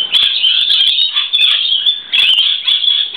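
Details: Lorikeets sheltering from rain on a verandah on a wet day give a continuous stream of shrill, screechy overlapping chattering calls, while a male flaps his wings and stands tall to hold a female's attention.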